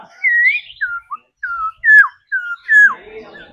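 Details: Trained laughingthrush, a singing bird practised daily, delivering loud clear whistled phrases: a rising slur, then a run of descending and down-slurred whistles spaced with short pauses, ending in a softer warble.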